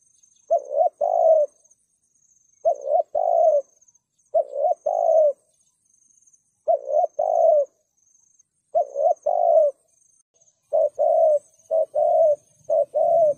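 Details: Repeated cooing of a spotted dove used to lure wild doves into traps: seven low two-part phrases over thirteen seconds, short clipped note then longer hoot, quickening near the end, with a faint low rumble at the close.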